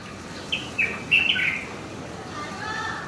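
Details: Light-vented bulbul chicks, four days into feeding at a nest outside a window in Taiwan, 11 June 2020, give a brief burst of thin, high chirps, four or five notes in about a second, against faint background hiss.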